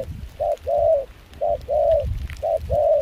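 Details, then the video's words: Wild-caught spotted dove used for decoying in Kon Tum, singing in a mixed foreign-style voice in cold, windy rain. Three clear pairs of coos, each a brief note then a longer hollow one, over low rumble. "Gác cu khi trời mưa gió se lạnh.bổi giọng pha nước ngoài chơi tốt"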